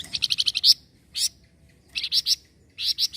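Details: Loud, close Sunda bush warbler calling back at a noisy sound: a rapid run of seven high, dry chirps, then a pause and short groups of two or three sharp notes, in a quiet background.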